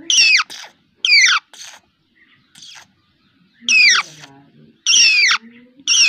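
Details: Pet parrot calling in harsh, bright, downward-sliding squawks, given in short bursts about a second apart with quiet gaps between, faint low murmurs underneath.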